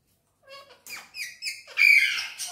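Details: Green Indian ringneck parakeet talking in Urdu/Hindi: a short run of soft, voice-like syllables is followed by louder, harsher chattering bursts and a bright, sharp squawk near the end.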